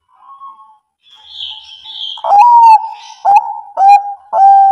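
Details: Zebra dove, Bangkok type, played to provoke reluctant birds into singing: faint chirps from other birds first, then a loud rising-falling coo and three clipped, gurgling coos at a steady pace.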